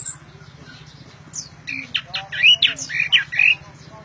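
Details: Orange-headed thrush in loud voice, starting quietly, then a dense burst of mid-pitched squawky, twisting notes and quick slurred whistles in the last two seconds, with a low humming background.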